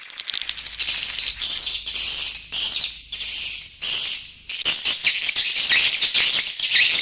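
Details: Grey-breasted prinia calls used to lure wild birds: dense, high, buzzy chattering in rapid bursts with brief pauses, growing louder and more continuous toward the end.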